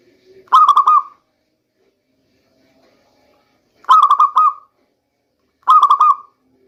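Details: Local zebra dove heard as a rainy-season lure: three short phrases of fast, stuttering, mellow coo notes, the first two separated by a long pause and the last two close together.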